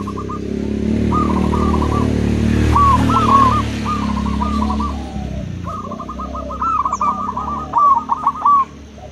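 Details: Local and crossbred zebra doves calling back and forth: repeated stuttering coo phrases, some overlapping, sounding above a loud steady low drone that fades after six seconds, leaving the birds clearer.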